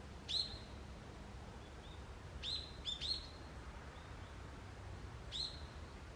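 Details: Wild forest birds at dawn in early autumn give short, sharp high chirps: five separate notes scattered over six seconds, two close together in the middle, against a soft steady background hiss.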